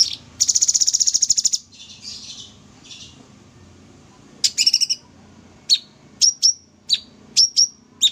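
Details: Sooty-headed bulbul singing vigorously in the full 'tembak' style: a fast high buzzy rattle of about a dozen pulses, then softer chatter and a run of sharp, separate whistled chips falling in pitch.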